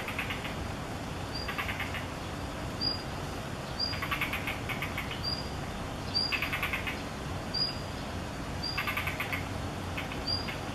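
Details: Female blue rock thrush giving alarm calls at an observer while bringing food to a fledgling in an apartment corridor on 16 May 2021. Short thin whistles repeat about every one to two seconds with sharp clicks, over a steady hum and buzzy bursts.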